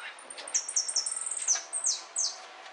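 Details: Competition-singing European goldfinch, 2013: quick run of bright high chirps and trilled notes, then several louder downward-sweeping whistles near the end.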